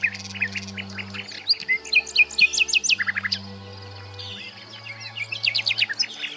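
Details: Common nightingale (Luscinia megarhynchos) song, rich, varied phrases of rapid chirps, clicks and high whistled notes in quick bursts, over a low steady hum.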